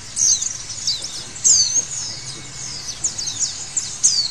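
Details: Short burst of white-eye song from a conditioning recording, with thin high chirps and quick falling whistles, some louder peaks at the start, middle and end, and a faint steady hum beneath.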